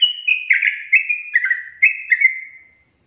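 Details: Sooty-headed bulbul song used as a lure for caged birds that rarely sing: a short string of rich, gurgling whistled notes sliding gently downward, trailing off into silence.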